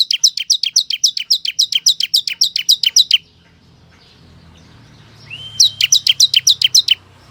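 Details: Lure song of a ciblek kristal to draw wild birds: long rapid train of sharp descending chirps, a pause, a rising whistle, then another quick chirp series.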